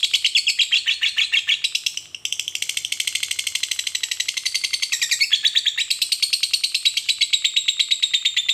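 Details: Extended chattering from a fighter lovebird that is meant to provoke rivals into singing: high, scratchy chirps repeated rapidly, with a short pause early on and a slight shift in pitch midway.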